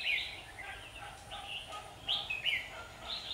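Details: Red-whiskered bulbul in competitive song during a fight, Vietnam, 27 September 2019; scattered bright whistled phrases, louder toward the end, against faint background noise.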